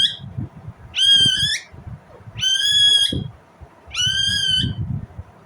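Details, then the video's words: Three long, harsh, level screeches from an Indian ringneck parrot, each lasting about half a second to a second and coming roughly every one and a half seconds, over faint low rumble. "Indian Ringneck parrot Natural sound, parrot chirping sound"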